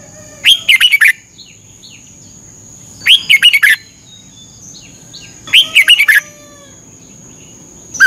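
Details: Caged red-whiskered bulbul, Thailand, singing during its thirty-minute morning training: repeated cheery phrases of quick warbled whistles, about one every two and a half seconds, over a faint steady hum.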